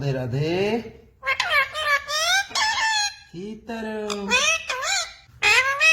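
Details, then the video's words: Pet parrot talking indoors, mimicking words such as "mummy papa", "radhe radhe" and "sita ram": nasal, voice-like phrases with rising and falling tones, separated by short pauses. "parrot talking mummy papa | parrot talking radhe radhe | parrot talking sita ram"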